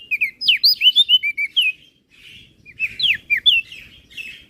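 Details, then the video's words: Master song of a crested white-eye from Flores, used to train other songbirds: a fast string of sweet, sharply inflected whistles, a two-second pause, then a second lively phrase of rising and dipping notes. "Burung Opior Jambul Flores Gacor Isian"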